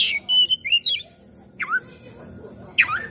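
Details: Oriental magpie-robin lure song meant to get a quiet bird singing and opening its tail: a rapid run of whistled notes at the start, then two separate steep downward-sweeping calls over a low noisy background.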